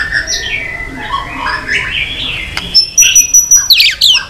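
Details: Faint, wavering whistles from a white-rumped shama build into a loud closing flourish of clear high notes and a steep descending slur, part of a long song meant to provoke fighting.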